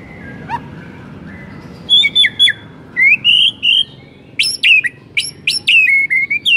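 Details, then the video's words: White-rumped shama song used to get other shamas singing: after a quiet start, loud clear whistled phrases come in bursts, with sliding notes and sharp upward flicks separated by short pauses. "Belum 1 MENIT di PANCING Murai manapun AUTO GACOR NGEPLONG mendengarnya"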